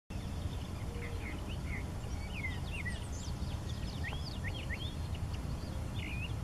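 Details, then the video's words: Eastern Kingbird in Dakota County, Minnesota, 20 May 2014, giving scattered high, sharp twittering chirps and quick upslurred notes, partly buried under a steady low rumble of wind or distant traffic. "Eastern Kingbird"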